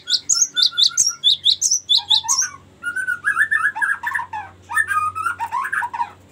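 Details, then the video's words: Cinereous tit long ngerol song, used for luring and tutoring: a quick series of high chirps with lower whistles, then busy mid-pitched rolling warbles that repeat in rapid bursts. "ngerol panjang sangat bagus untuk pancingan gelatik batu dan masteran"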